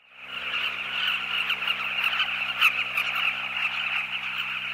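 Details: Huge numbers of Southern Carmine Bee-eaters at a breeding colony on the Zambezi River, seen from a birding safari: a dense, continuous chorus of overlapping chirping calls, with a steady low engine hum throughout.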